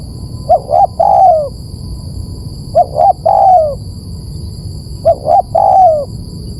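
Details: Lure recording of a spotted dove cooing three times at even intervals of about two seconds, each phrase a pair of short notes then a longer descending coo; a steady thin whine runs throughout.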